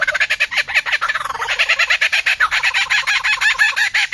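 A myna gives a loud, harsh, rapid chatter of rasping notes, about ten a second, running unbroken throughout with no other sounds heard.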